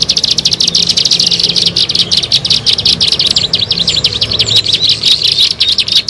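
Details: Bar-winged prinia calling, recorded for luring birds: fast, high, scratchy chirps, about two a second, loosening slightly toward the end, over a faint low hum.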